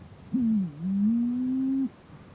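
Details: A Malleefowl, recorded near a recently active mound at a restricted-access site where two birds were present, gives one low, hollow, humming call lasting about a second and a half, dipping briefly then holding a steady, slightly rising tone over a quiet background.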